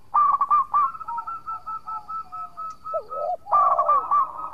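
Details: Zebra dove (local perkutut) in full song, meant as a lure to make rivals reply: a long, fast trill of clipped, bubbling coo notes, a low, swooping dip, then another rapid rolling phrase.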